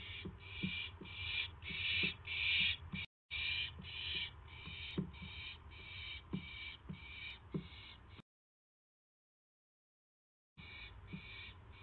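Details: Owl on a live nest camera at 9:38 PM on May 9, 2016, receiving a mouse. Harsh, hissing bursts repeat roughly every half second, with soft low thumps underneath and a short silent gap near the end.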